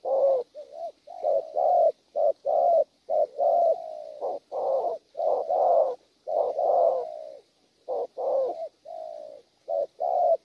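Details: A wild-caught spotted dove gives a long, steady cooing sequence in gù style. Many low, husky notes come in quick succession, mixing short pulses with a few longer slurred coos.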